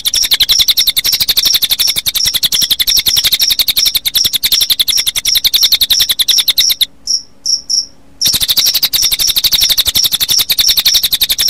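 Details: Combination of cililin song and cricket sound for late-afternoon playback: quick repeated high whistles over a dense buzzing cricket rattle, with a brief gap where isolated whistled notes stand out alone.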